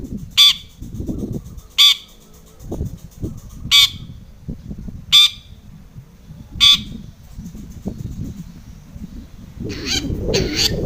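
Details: Long-tailed shrike song used as a lure to provoke other shrikes into singing. Five short, harsh, scratchy notes are spaced about 1.5 seconds apart, then a denser burst of rasping notes follows near the end, over a low rumbling background.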